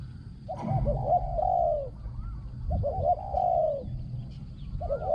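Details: Spotted dove kept as a trapping decoy, with a small, ringing voice; each phrase starts with a stuttered double coo and ends in a long, slightly falling coo, roughly every two seconds. A soft whistled note is heard in between.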